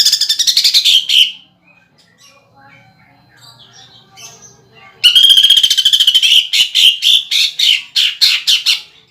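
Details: Greater green leafbird singing a fast buzzy trill, then after a quiet stretch a long harsh rattle that slows into separate strident notes, the woodpecker fill used for song contests.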